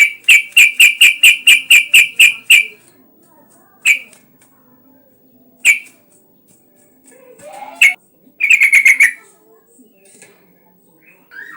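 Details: Yellow-vented bulbul in lively song, played to coax other bulbuls into singing; a fast run of about ten sharp, evenly spaced notes, then scattered single notes and a short chattering burst, in quiet surroundings.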